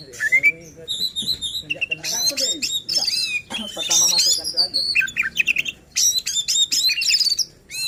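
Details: White-rumped shama song meant to rile other shamas and spur competition birds to sing; varied whistles and chattering bursts mixed with lower harmonic, voice-like sliding notes, loud and dense.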